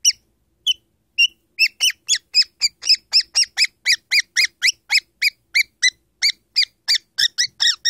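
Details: Spike, an 18-year-old talking cockatiel (Nymphicus hollandicus) sitting in a drawer on a coffee table, gives quick, bright, squeaky whistled notes, about four a second, in a steady run.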